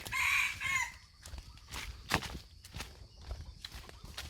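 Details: Red junglefowl from Aceh, recorded at Indrapuri, Indonesia: one short, loud, harsh crow of about a second opens the recording, followed by quieter scattered rustles, clicks and faint background noise.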